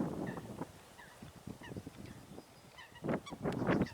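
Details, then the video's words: Eurasian coots fighting on water: short, abrupt honking notes scattered among heavy splashing and thrashing, with a burst of loud, harsh calls and splashes near the end. "Łyski walka łysek"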